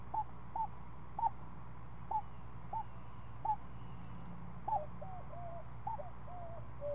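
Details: Screech owl family at the nest while a seven-day-old owlet is fed snake by its mother in the afternoon: a series of short, hooked, chip-like notes, then several drawn-out wavering notes, over a low steady hum.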